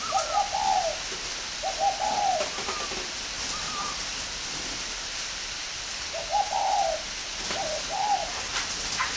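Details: Spotted dove kept at an aviary near Hanoi in northern Vietnam, giving soft slurred coo phrases in two bursts with fainter higher notes between, over a rain-like hiss.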